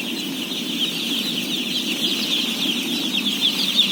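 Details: At feeding, thousands of day-old chicks (around 17,000) give a ceaseless high-pitched peeping chorus, individual cheeps blurring together above a low, even background hum.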